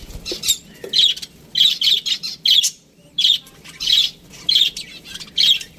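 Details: Budgerigar in an aviary giving short, bright, repeated chirps, roughly one or two each second at irregular spacing, clear against a quiet background.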